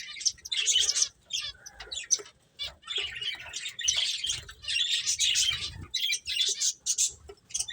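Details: High twittering chirps from playing finches come in uneven bursts separated by brief gaps, with soft low thuds like fluttering or movement beneath.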